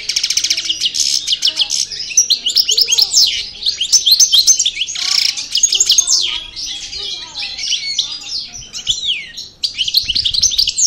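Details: European goldfinch of the Parva Cravaty line from El Bordj, just out of moult and refining its song: rapid twittering of tinkling, buzzy and liquid notes, continuous and varied, with brief pauses near the end.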